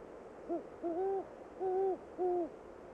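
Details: A great horned owl, filmed at Moosehorn Wildlife Refuge, Maine, where it preys on woodcocks, gives a deep, soft hooting series: a short hoot, a longer one, then two more drawn-out hoots in a steady rhythm.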